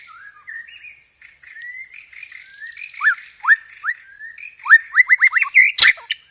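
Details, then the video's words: White-rumped shama singing a lure song with sparrow-fight imitation material and rapid 'roll tembak' phrases: soft varied whistled warbles give way to quick repeated upswept notes, about four per second, over a steady high whine. "PANCINGAN SUARA BURUNG MURAI BATU isian gereja tarung, full materi roll tembak"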